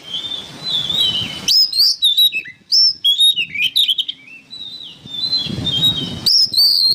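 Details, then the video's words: Oriental magpie-robin, recorded as training material for songbirds, giving soft warbled whistles that build into loud sharp phrases of clear notes and clicks, then fall back to quieter warbling with faint low background noise. "MASTERAN BURUNG KACER GACOR"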